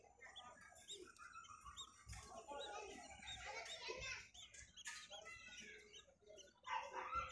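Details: Baby parakeets at night chatter in a busy mix of soft chirps, squeaky peeps and scratchy warbles, with a few brighter whistles near the end.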